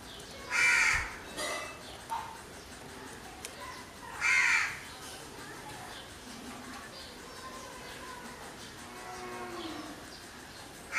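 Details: Crow calling with harsh, ragged caws: two loud ones near the start and middle, a couple of softer caws in between, then a quiet stretch of low background hiss.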